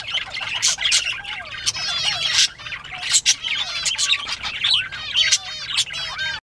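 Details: Several bobwhite quail during playtime on 19 April 2017 at 10:13 AM give dense, overlapping chatter: warbling down-slurred whistles, buzzy squeaks and loud squawk bursts, almost without pause.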